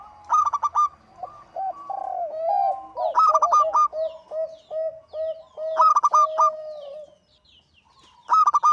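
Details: Lively local zebra dove song: quick staccato runs of high ringing coos, three main bursts, separated by long stretches of lower, softer purring coos from neighbouring doves.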